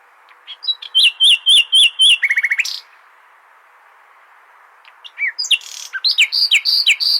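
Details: Common nightingale song for tutoring goldfinches. Four evenly spaced looping whistled notes lead into a fast dry trill, then a two-second pause and a scattered run of sharp, rising notes.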